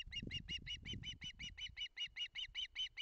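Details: A hungry osprey chick begs at a nest in Barlinek, Poland, on 19 July 2023, so eager that a collision in the nest nearly happens. It gives a steady run of short, piping notes, about five a second, over low rumbling and flapping at the start.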